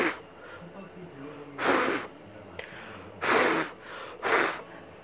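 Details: An angry cockatoo (sulphur-crested), startled and screaming while being soothed, gives three harsh, raspy screeches, each about half a second long, a second or so apart, with a person's quiet murmuring between them.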